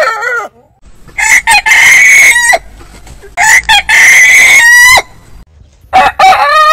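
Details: Domestic rooster from a compilation of crowing heritage chicken breeds: harmonic crows with brief stuttered opening notes, each long drawn-out phrase held about a second before dropping off, several crows in succession.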